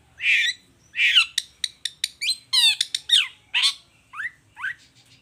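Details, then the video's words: Long-tailed shrike singing vigorously in the 'toet toet' style, played as a lure to provoke other shrikes into answering: harsh broadband squawks, a quick run of sharp clicks, then buzzy chatters and short descending whistles, over a faint low hum. "Suara Cendet Gacor Toet toet"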